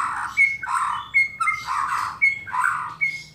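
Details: White-rumped shama (murai batu) giving kretekan and tembakan calls meant to stir other shamas into singing: harsh, scratchy squawks alternating with short bright whistled notes, roughly every half second, in a quiet small room.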